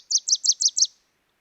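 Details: Wilson's Warbler in summer in southwest Idaho sings a quick staccato series of five sharp, chattering high notes with little pitch change.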